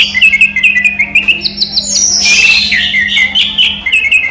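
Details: A captive orange-headed thrush sings in daytime. Quick repeated chirped notes are followed by a dense burst of high whistled and buzzy phrasing, then more clipped, rapid chirps. A faint low hum sits underneath.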